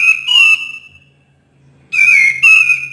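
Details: Cream-vented bulbul singing, played as a stimulus for birds that seldom call: a long fluting whistle, a second of silence, then three quick, slurred whistled notes in steady succession.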